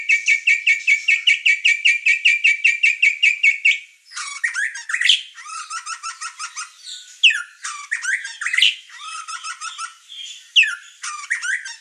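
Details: Singing white-rumped shama used for training master recordings: opens with a rapid train of repeated sharp notes for four seconds, then varied harsh squawks, trills and jumbled phrases of mixed pitch.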